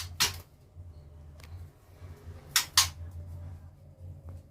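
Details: Low indoor hum broken by a few sharp rustling bursts of handling noise, with no animal voice.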